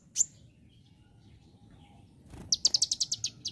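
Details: Bar-winged prinia song: a single sharp, high chirp, then a quick run of about ten bright, evenly spaced high notes, roughly eight a second, over a faint low background hum.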